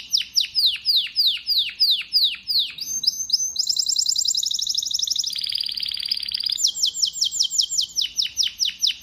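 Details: Domestic canary, a male, in full song: a string of swooping descending notes, then buzzy rapid rolls shifting between high and lower pitches, closing with rhythmic repeated sweeps.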